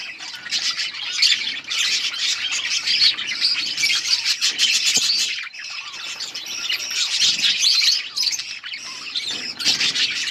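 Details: Budgerigars eating together in a colony, their chirping forming a loud continuous chatter of high twittering and squeaky notes, briefly dipping midway before swelling again.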